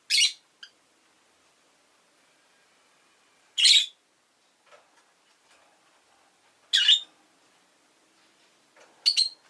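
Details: Rosy-faced lovebird, with urban traffic and bicycle sounds noted in the recording; four loud, harsh, shrill squawks spaced about three seconds apart, with near silence between them.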